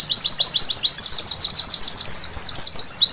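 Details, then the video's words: A white-eye sings at night, rapid high piping notes each dropping in pitch, about four a second, ending with a short jumbled flourish. "Terapi Pleci Malam Hari Bikin Gacor seketika!!!"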